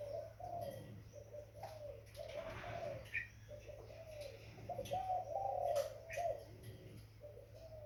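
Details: Low, wavering coos from a young spotted dove run almost continuously, strongest in the middle of the passage, with scattered high chirps and clicking noises around them.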